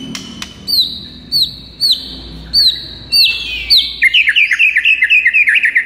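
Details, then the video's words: White-rumped shama song recorded in the morning as training material for luring: a series of loud rising-then-falling whistled notes repeated about every half second, then a rapid rolling trill of short notes. "PIKAT MURAI BATU ANDA DENGAN MASTERAN MURAI BATU GACOR PAGI HARI INI"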